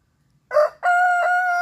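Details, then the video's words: Rooster crow from a Mechelse Koekoek or Blue de Landes cockerel: a short harsh rising note, a brief gap, then a loud steady drawn-out harmonic crow that is still going when the recording cuts off. "inyue roosters crowing"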